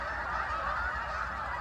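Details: Geese taking off from an orchard field to go out and feed in the fields: a dense flock chorus of overlapping honks, steady and continuous, with low wind or ground rumble beneath.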